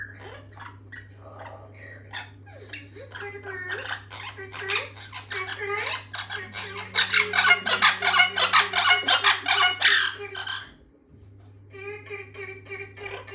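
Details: Orange-winged amazon parrot, a rescue bird, indoors venturing out of its cage to watch another parrot on screen: bursts of harsh squawks and rapid chattering notes, densest midway, with a steady low electrical hum throughout.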